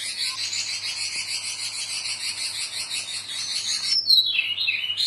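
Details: Female robin calling the male, answering one another in a rapid, high, rattling chatter of fast repeated notes, ending in a sharper, louder twittering burst.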